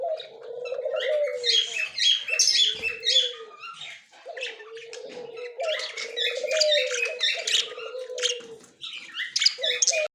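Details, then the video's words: Budgerigar pair, a white male and a yellow-green female, recorded October 30, 2024: bursts of loud scratchy chatter and shrill squeaks separated by short pauses, over an on-and-off low humming tone. "Australian bajri parrot"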